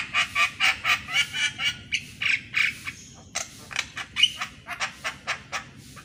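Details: Javan myna morning calls, used for training mynas that seldom sing: rhythmic harsh rasping notes about four per second, with a faint thin whistle in the middle.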